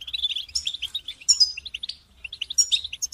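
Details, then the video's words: European goldfinch group song, played to help goldfinches resume singing after moult; quick bubbling chirps rising into bright sweeping trills, several birds overlapping. "بتبتة جماعية تساعد الحسون على التغريد والخروج من مرحلة غيار الريش"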